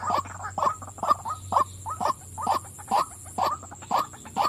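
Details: Calling female white-breasted waterhen, giving short, hoarse, grunting notes repeated roughly twice per second in a fairly steady rhythm over a low background hum.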